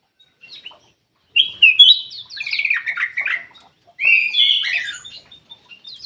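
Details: Ruby-throated bulbul in an aviary, its song played as a lure for birds that are slow to sing. After a short silence come rich warbled phrases with falling slurs, then a louder rippling, chattery passage.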